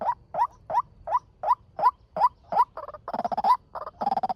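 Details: White-breasted waterhen, a male, calling as a lure for trapping. Evenly spaced rising croaks repeat about every third of a second, then run into faster, rattling clusters of harsh notes.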